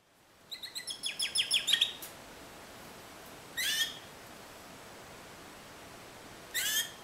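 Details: Timbrado canary singing in the discontinuous style: a quick series of bright, high pulsed notes for about a second and a half, then two short isolated chirps separated by quiet pauses.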